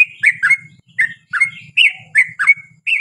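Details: Fast bubbly song of a yellow-vented bulbul: slurred chuckles and short whistled trailing notes in quick succession over a low buzzing hum.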